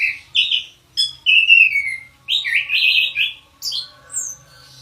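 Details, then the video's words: Kept Orange-headed thrush in full song: rapid sequence of whistled and scratchy phrases, some descending, some rising sharply, delivered nearly without pause. "Anis Kembang"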